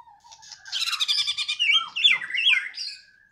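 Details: A loud-singing Medan white-rumped shama (Copsychus malabaricus) missing one broken claw sings a rich, fast run of bright whistles, rattling trills and sliding notes with no pause after a soft low opening note.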